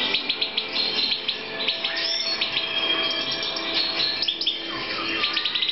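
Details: European goldfinch held for breeding in 2014: rapid twittering song of thin, high chirps and short trills, dense and overlapping, with a faint steady low hum underneath.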